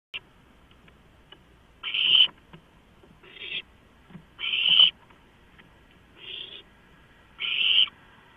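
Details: Owlets begging as a large rodent is delivered, 23 March 2015: five harsh, hissing screeches spaced about 1.5 seconds apart over a quiet background.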